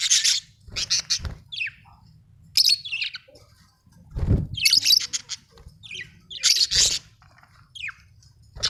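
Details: Budgie chatter of high, raspy chirps and warbles, repeated in bursts about every second, with occasional soft low knocks.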